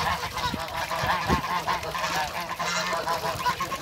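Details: Several ducks meet, including three Pekin ducks; continuous raspy, honking quacks overlap in a dense chorus, each note brief and nasal, with a constant low hum underneath.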